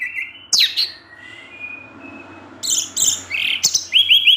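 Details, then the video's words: Kept orange-headed thrush, 'ngecip ngecis teler' song: a sharp descending note, a long thin whistle, then rapid high chirps and a quick repeated rising trill at the end. "ANIS MERAH SUSAH BUNYI PASTI NGEPLONG DENGAR SUARA NGECIP NGECIS TELER INI"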